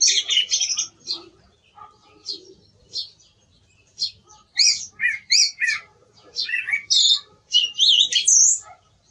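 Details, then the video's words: Song thrush delivering a dense run of high, scratchy notes and quick whistled flourishes, with loud clusters near the end and a faint low hum behind. "Sonido del Zorzal Comun - Sturz cantator - TURDUS PHILOMELOS"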